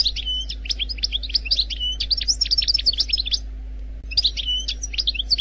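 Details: Algerian goldfinch singing wild-type phrases, mixing high tinkling chirps with repeated lower flat whistled notes, a dense three-second burst, a short pause, then the pattern resumes, over a low electrical-like hum.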